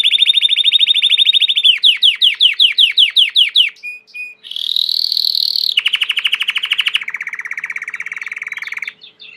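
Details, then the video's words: Domestic Belgian canary in song: a loud rolling trill, then separate slurred notes about five per second, two brief pure whistles, a high buzzy roll, and lower fast rattling trills. "COMO FAZER SEU CANARIO CANTAR MUITO 20 MINUTOS DE CANTO"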